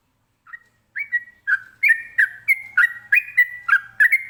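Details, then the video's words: Sooty-headed bulbul, known locally as trucukan, singing in a ropelan style meant to make other birds answer: loud whistled notes that rise and fall, repeated about three times a second in a steady chattering run. "ini suara Trucukan ropelan bikin nyaut burung lainya"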